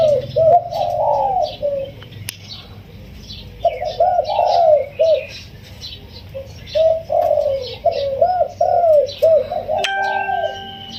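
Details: Spotted dove, a wild bird caged for 16 days, cooing in the full single-kuk throw style, described as sweet and soft: repeated rolling, mellow hooting phrases in bursts, each a quick wavering series of coos, with faint room noise.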